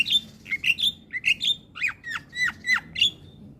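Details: Javan pied starling singing in the morning, a lively string of whistled notes, some steady and some plunging steeply downward, delivered in quick succession.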